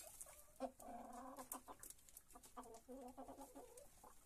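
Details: Dawn feeding in a henhouse, hens leaving their perches for a grain breakfast; sustained murmuring clucks and drawn-out tonal calls, several birds overlapping, with pecking taps.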